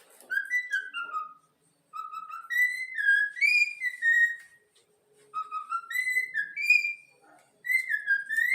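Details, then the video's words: A trained young yellow-cheeked cockatiel, kept as a pet, whistles the Flamengo club anthem in pure, tuneful notes, three melodic phrases of stepping and gliding tones broken by brief silences. "Bochecha amarela cantando o hino do flamengo"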